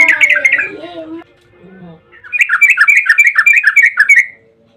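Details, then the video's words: Yellow-vented bulbul in 'ropel panjang' style, a long song played as a lure so bulbuls answer. A short burst of chattering notes comes first, then a gap, then a fast run of liquid, bubbling phrases that stops abruptly. "trucukan gacor ROPEL PANJANG buat pancingan trucukan agar bunyi"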